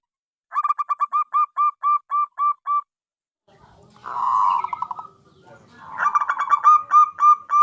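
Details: Zebra dove (Geopelia striata), song.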